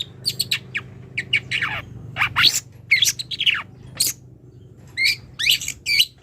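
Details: Long-tailed shrike calling a rival: harsh, scratchy chirps and sharp downslurred notes in irregular bursts, over a steady low hum in the background.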